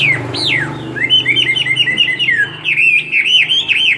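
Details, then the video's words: Caged two-year Chinese hwamei singing a fighting song with tail fanned: a bold arching whistle, then quick chattering whistled runs and looping slurs over a steady low mechanical hum. "Họa mi hót xòe hót đấu"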